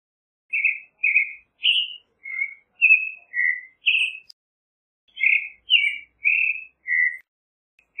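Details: Phrases of a creamy-bellied thrush: two bursts of short whistled and slightly buzzy notes, each burst about six notes long, separated by a silent gap.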